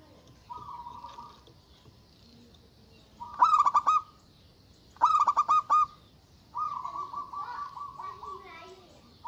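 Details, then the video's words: Agitated local zebra dove in full, loud voice, challenging rivals: a soft level coo, two strong bursts of rapid clipped notes about one and a half seconds apart, then a wavering rolling phrase. "Suara Burung Perkutut Lokal Gacor Suara Besar Ampuh Memanggil Lawan Bunyi Emosi"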